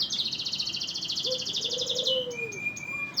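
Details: Canary singing energetically: a long, rapid, high-pitched rattling roll ending in a drawn-out thin whistle, while a soft, low, arched whistle sounds beneath.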